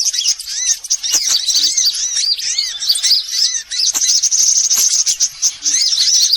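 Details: Used as a lure to attract sunbirds: continuous high twittering with repeated looping, up-and-down chirps, many voices overlapping, a short dip in loudness near the middle.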